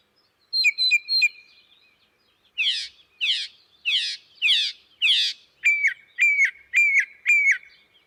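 Northern Mockingbird song in phrases repeated in sets: three quick whistled notes, five buzzy rasping notes, then five clear whistles, each phrase type a different imitation.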